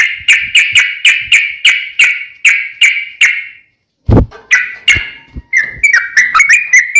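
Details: Sooty-headed bulbul used as a lure so other bulbuls answer, giving evenly spaced bright chirping notes about two per second, a brief thud and pause, then quicker jumbled notes.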